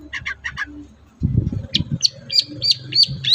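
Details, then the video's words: Captive long-tailed shrike, lure recording for hesitant singers: a few scratchy mid-pitched notes, then a rhythmic run of sharp high chips about three per second, over low rumbling handling noise. "pancingan ampuh cendet susah bunyi agar cepat gacor"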